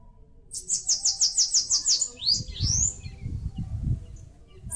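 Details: Bananaquit in northeastern Brazil, singing while building a nest on a mandacaru cactus: a rapid series of about eight very high thin buzzy notes, then two sweeping rising slurs, over low rumbling background noise.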